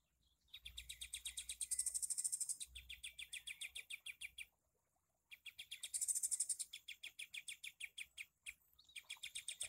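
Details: Two long bursts of fast, stuttering chirps from a sooty-headed bulbul, used as a tutor recording for songbirds. Each burst swells into a shrill, high trill and is separated by a second of quiet.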